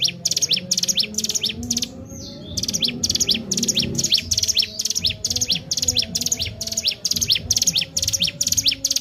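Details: Ciblek gunung or Sunda warbler used as a lure bird for training, delivering fast high-pitched chirping phrases with sharp descending notes, repeated in rapid bursts with brief pauses, low rumbling noise underneath.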